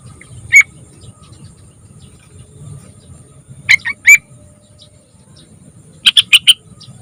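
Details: Young yellow-vented bulbul, used as a lure to get birds singing, gives scattered sharp chirps: one single note, a burst of three a few seconds later, then a rapid string of four bright notes near the end over low steady hum.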